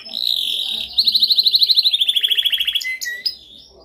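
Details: Dominant canary song for training: a smooth rolling tour gives way to a loud rapid trill of crisp repeated notes, then a slower, lower trill and two short whistled notes to close.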